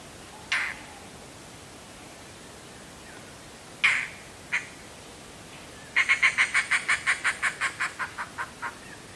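Indian roller giving three harsh, rasping single notes, then a run of about a dozen grating 'chak' notes that fade as they go. The background is otherwise quiet.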